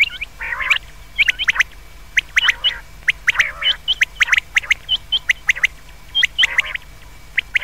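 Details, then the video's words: Common quail calls, described as suited to night use: sharp, high clipped notes in quick bursts with harsh raspy squawks every second or two, over a faint steady whine. "Batair ki awaz raat keliye behtreen awaz | comon quails | بٹیر کی رات کےلیے بہتریں آواز"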